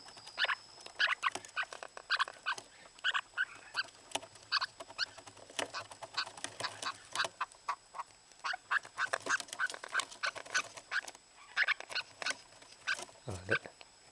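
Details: Pet lineolated parakeet in breeding season, calling while in heat: a long run of harsh, quacking calls repeated in quick irregular bursts, with a steady faint high tone in the background.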